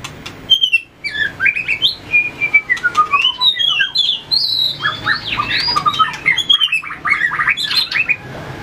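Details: White-rumped shama practising fighting song, tail flicking and hopping between perches, delivers a rapid, varied series of whistled and chattering notes that jump between high and low pitches, with light clicking throughout.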